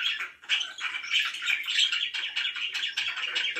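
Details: Pet budgies, described as happy, giving continuous warbling chatter mixing squeaky whistles and buzzy chirps.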